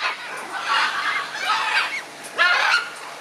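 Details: Scarlet macaw in a noisy exchange, three harsh, raspy broadband squawks, the last loudest, rising and falling over about three seconds with short gaps between them.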